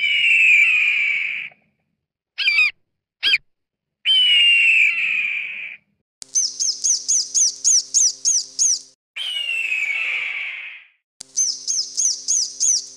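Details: Northern goshawk calling: falling wailing screeches, a few short clipped notes, then rapid trains of high chattering notes alternating with another long descending screech.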